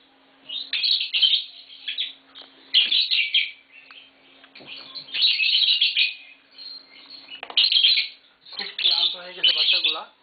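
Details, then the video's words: A pair of green Fischer's lovebirds kept indoors at home sings in bursts of shrill, high, chattering chirps and twitters lasting one to two seconds, separated by short pauses. A faint steady hum runs underneath. "Lovebird Singing & Chirping Sounds - Green Fischer Pair"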